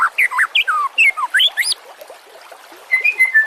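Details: Murai batu, the white-rumped shama, singing on a master recording for teaching other songbirds: loud looping whistled slurs that swing up and down in rapid succession, a brief lull, then a few clear level whistles.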